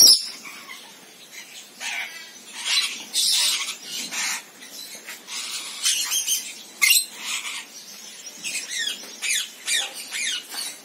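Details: Rainbow lorikeet, Trichoglossus haematodus: continuous harsh, rasping high chatter made of many short screeches and squawks, some in rapid bursts.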